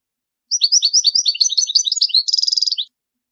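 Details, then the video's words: European goldfinch singing for the training of young birds: a quick run of sweet twittered notes ending in a short buzzy trill, then silence; no background noise. "تغريد طائر الحسون لتعليم الفراخ الصغار"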